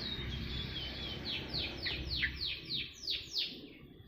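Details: Black-throated canary song: a steady thin note followed by about eight descending, sweeping whistles spaced evenly, over a background hiss.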